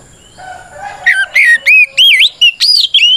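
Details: Kacer, the Oriental magpie-robin, singing to goad rivals into answering; quiet low whistles lead into six or seven loud, swooping whistled notes that wave up and down in pitch.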